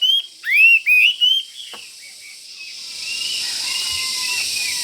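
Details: Caged Chinese hwamei, a fighting bird that pecks its cage near a rival, gives a short burst of loud rising and falling whistles, then fades into soft distant notes and background hiss.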